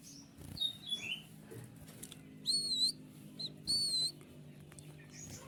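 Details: White-winged triller song for training other songbirds, with clear, sharp, piercing phrases: short whistled notes, some rising and some slurred downward, in separate bursts with steady low background hum.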